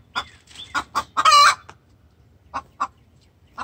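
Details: Hen in distress calling for the rooster: a few spaced clucks and one loud, harsh, grating squawk, then quieter single clucks after a pause.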